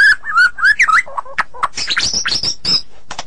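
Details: White-rumped shama singing for songbird training: quick whistled notes bending around the middle range, then a burst of high buzzy and rasping phrases, energetic and varied.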